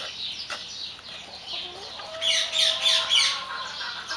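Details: White Silkie chickens calling with thin, drawn-out notes that rise and fall, then a lively burst of bright, high chirps repeated several times a second, all over a steady noisy backdrop.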